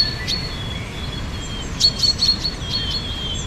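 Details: Spring birdsong, fairly distant: long thin whistled tones held steady, broken by a few short high chirps near the middle, all over a gentle steady hiss.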